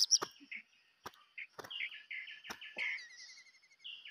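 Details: White-rumped shama kept as a decoy, giving rich whistled notes that run into rapid buzzy trills, broken by several sharp clicks.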